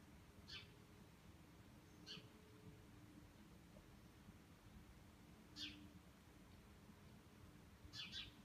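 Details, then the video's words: Migrating flock of bramblings passing over Cornol, among thousands of birds flying over that day: faint, high, short calls, four of them at uneven gaps, over a low rumbling background. "Bergfinken über Cornol"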